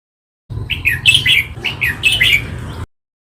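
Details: Red-whiskered bulbul singing, a recording meant to rouse caged birds: two brisk phrases of rich, liquid whistles tumbling up and down in pitch, the second phrase slightly louder, over faint low background noise.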